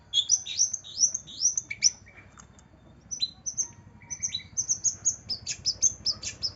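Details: Long-tailed shrike (cendet) heard in a lure track for a shrike reluctant to sing: quick runs of thin, high slurred whistles broken by a short pause, then resuming with rapid chirps and a few scratchy notes.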